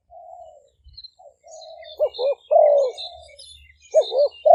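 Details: Decoy Spotted dove recorded live at a dove camp in Roi Et, Thailand, 2023, used for luring wild doves; a long drawn mellow coo leads into bursts of short bouncing notes, while small birds chirp high-pitched in the background.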